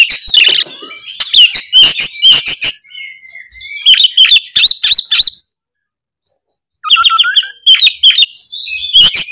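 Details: White-rumped shama song in loud bursts of crisp whistled and chattering phrases with sharp click-like notes, a silent pause of over a second, then renewed rapid varied phrases.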